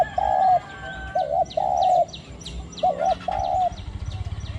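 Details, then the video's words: Decoy Spotted Dove set out at the third spot in Thailand to call against wild doves, in a small-voiced khu-ang cooing style: low hooting coos in short and longer pulses, uneven spacing, thin high chirps of other birds above. "ต่อนกเขาใหญ่ | หมาย3 กุก/คูอ่างตลอด | เสียงเล็กคูอ่าง หนุนอ่าง เสี้ยนสอ"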